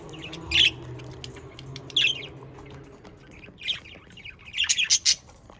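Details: Pet budgerigars, Australian parakeets, heard as a few sharp, bright chirps spaced about a second apart, with a quicker cluster of three or four near the end, over a faint low hum.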